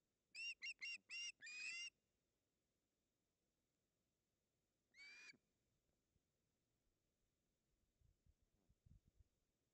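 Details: Pair of ospreys at a nest in Puszcza Napiwodzko-Ramucka, Poland, on 16 August 2021, calling while pulling over a fish: a rapid series of five harsh, harmonic squealing notes, then one more after a pause, with faint rustling.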